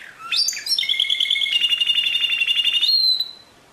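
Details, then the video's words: Canary delivering a rising opening note, then a long, evenly pulsed whistled trill held for about two seconds, finishing on a clear upward-sliding whistle. "Chant Canari Pur"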